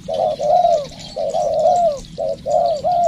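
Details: Loud, close cooing from a spotted dove being trained as a decoy: short notes running into long, slightly falling coos in quick succession, over faint insect noise.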